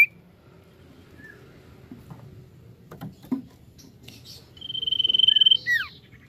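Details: Common iora used as a lure to stimulate other birds to sing: after a quiet start, a fast, high, even trill lasting about a second, then a couple of sharp downslurred whistles.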